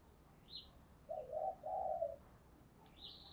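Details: Spotted dove lure call for attracting wild doves: two soft, warbling low coos back to back, with thin high chirps from another bird before and after, over steady background hiss.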